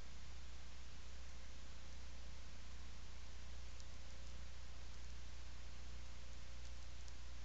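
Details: Steady hiss over a deep constant hum, with no animal voice heard.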